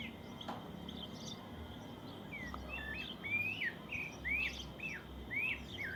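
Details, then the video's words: Countryside birds in the morning: a quiet opening, then a run of upslurred whistled phrases with brief downward flicks, spaced about a second apart, over soft low rumble. "Cuando vives en el campo aún puedes escuchar el lindo canto de los pájaros por la mañana"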